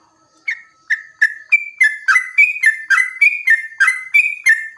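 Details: Yellow-vented bulbul in a long, continuous 'ropel panjang' singing style, used as bait to make other bulbuls sing. After a faint steady tone, loud whistled notes step between two pitches, about three per second, with no other sounds.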